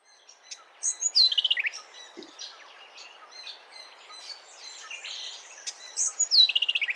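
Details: Brown Thornbill (nominate race), an understory bird, gives high, scratchy phrases ending in a quick descending warble, which is distinctive among thornbills, twice about five seconds apart, over faint background chatter.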